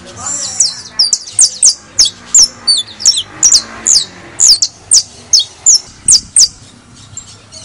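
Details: Saffron finch, locally canario de tierra criollo, singing a fast run of sharp, high chirps, about sixteen notes in under eight seconds, at a brisk, slightly uneven pace, as played to encourage singing in other birds.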